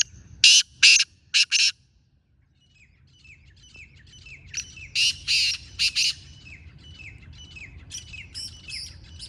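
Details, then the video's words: Wild black francolin answering a captive bird, with loud harsh rasping notes in two groups of three, separated by quieter high descending chirps from other birds. "Jagli teetar aa gya"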